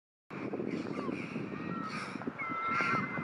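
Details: Choughs gathered after a pair of nest-defending gulls attacked a family of young choughs, June 2019, give aggressive harsh, ringing calls with a few thin, drawn-out whistled notes over a steady rushing background of wind or surf.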